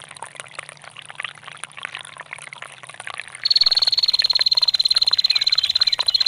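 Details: Trickling water alone for the first half, then a female bar-winged prinia starts a steady, rapid, high metallic ticking trill of ngetir calls that runs to the end; a recording meant as a master for songbirds.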